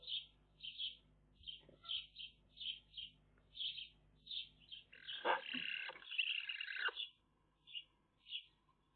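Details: Nestling Eurasian magpies on a camera-watched nest give a series of short rasping calls, then a two-second surge of loud, harsh, noisy chatter before the regular rasps resume.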